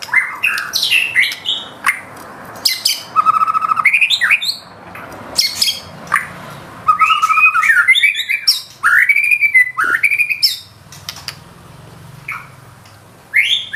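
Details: White-rumped shama (murai batu) in full gacor song, nembak style with isian: long strings of varied whistles, squawky chatters and clear slurred notes, broken by short quiet gaps and a low hum in the background.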